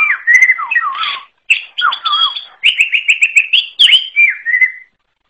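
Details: Greater green leafbird of the forest type in varied song. Low wavering whistles mix with higher chirps, then a quick series of rapid repeated notes and falling slurred whistles. No other sounds are heard.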